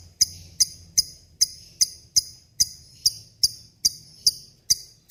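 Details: Lovebird singing steadily for a tutoring recording for other songbirds: a series of short, piercing, high chirps spaced roughly two to three per second over a quiet low background hum.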